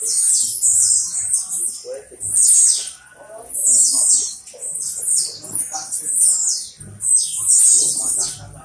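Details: Caged blue-black grassquit that took first place at a singing tournament in Pau Grande, Magé, Rio de Janeiro, Brazil. It gives short, very high buzzy bursts repeated every couple of seconds, with people talking and background noise.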